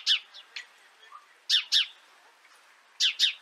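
A sparrow gives bright, sharp chirps, mostly in quick pairs, repeated about every one and a half seconds against a quiet background.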